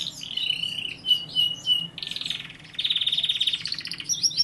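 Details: Singing canary delivering a steady whistled trill, then a dense buzzy rolling phrase and a long rapid rattling trill, closing with a high whistle.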